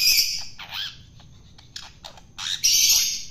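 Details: Wild-caught long-tailed shrike being hand-fed to tame it; loud, harsh, raspy squawks in several bursts over about three seconds, with brief quieter gaps between them.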